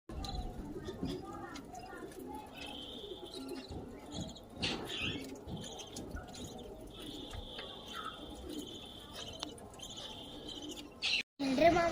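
Budgerigars chatter with high, drawn-out whistles over a low background murmur.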